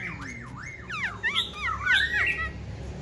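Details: Black-throated Laughingthrush, a tame cage bird said to sing all day, giving a fast run of looping whistled notes that sweep up and down, growing louder and more jumbled toward the middle.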